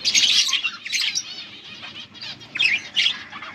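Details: Budgerigar breeding pair giving mating calls, August 16, 2024: loud bursts of scratchy chirping chatter at the start, then quieter gaps, followed by two more sharp chirp clusters.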